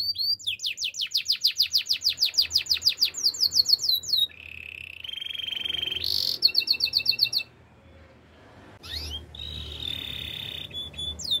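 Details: Singing canary, used as a training song for other canaries, delivers a long fast trill of sharp repeated notes, then steady buzzy rolls and bright tones, a brief pause, and a renewed high rolling phrase.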